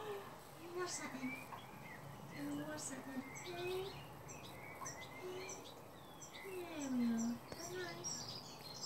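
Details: A brood of wild Mandarin ducklings in a Gloucestershire garden, May 2017, fed by hand with live mealworms; a steady chorus of piping, downslurred peeps, one louder drawn-out note near the end, over faint outdoor background.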